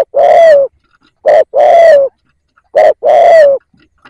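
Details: Spotted dove decoy bird used to lure wild doves, giving three loud phrases in quick succession, each a short low coo followed by a longer, drawn-out, slightly falling coo; quiet background.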